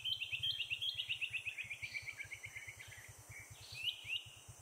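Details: Malaysian hawk-cuckoo (Hierococcyx fugax) in Selangor, Malaysia, April 2021, calling loudly from a high perch after eating a caterpillar; a fast run of short rising notes that climb and fade, with a steady low pulsing hum beneath.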